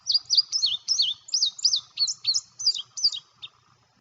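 An Indigo Bunting sings a quick series of high, sweet notes in pairs, each pair repeated several times, the phrases dropping slightly toward the end.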